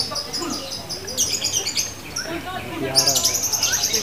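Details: Female fighter lovebird bursting into shrill, stuttering high trills that stop and restart, with soft low chirps between bursts.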